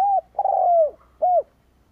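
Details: Spotted dove cooing as a lure for wild doves: an arched coo, a long coo that slides downward, then a short arched coo, all mellow and low.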